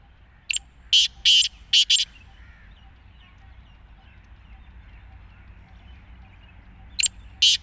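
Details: Black francolin (kala teetar) with one complete five-note phrase of coarse, clipped notes, followed after a pause by the first two notes of another phrase.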